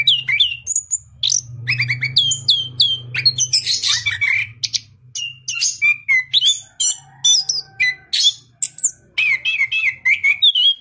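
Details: Orange-headed thrush from a breeder in southern Malang, praised for a crystal-clear voice, sings a fast, varied run of sharp whistles, chirps and short buzzy phrases packed closely together, with a low hum beneath.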